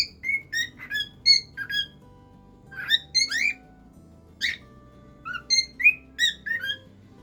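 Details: A pet cockatiel's varied whistled song: short steady tones mixed with swooping, slurred notes and a few sharp harsher calls, delivered in irregular bursts. Low background music throughout.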